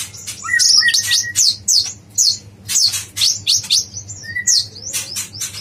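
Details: Yellow-vented bulbul (konin) in a songbird training recording, the 'dacok blorok' style, described as very vocal: bursts of quick sweeping chirps and warbles, with lower whistled notes between them, mixed with other high twittering.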